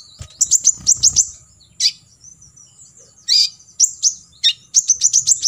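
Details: Olive-backed sunbird, fill-in 'tembakan isian' song meant for other birds to copy: a quick burst of high ticks, a pause, single sharp descending notes, then another rapid rattle of chirps, with faint low rumble.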